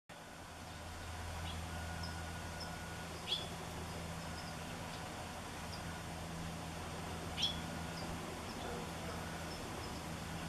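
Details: A hooded oriole calling and preening in a Washingtonia robusta palm in Bonsall gives two sharp, high, upslurred call notes about four seconds apart, with faint chips between, over a steady low engine hum.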